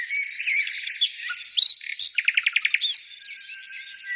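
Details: Birds singing: warbled twittering, then a loud, crisp chirp followed by a fast, even trill of about eight rapid notes before the chorus softens to a quiet murmur.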